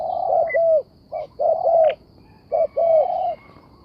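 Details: Spotted dove phrase: a clipped coo, then a longer rolling, mellow hoot dropping at the end, given twice with a brief pause, a faint chirp in the background.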